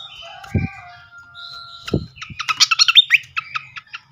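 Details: Flycatcher lure song to trigger answering: drawn-out thin whistles with two low knocks, followed by a quick run of sharp repeated chips.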